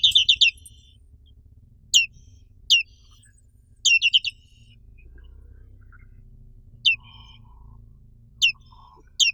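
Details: Black-capped white-eye, known as pleci black capped and endemic to Indonesia, uttering scattered short bursts of high, sharp descending chirps, single or in quick groups of two to four, with quiet gaps between.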